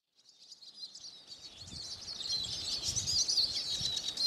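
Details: Eurasian siskin song: a fast, twittering stream of high, thin chirps and wheezy trills that starts softly and grows louder and denser, with light low rumble beneath.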